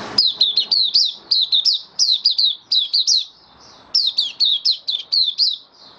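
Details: Caged white-eye singing on 18 May 2022 after regular deworming, delivering a long, energetic series of shrill, falling chirps in tight clusters, broken by one short softer gap midway.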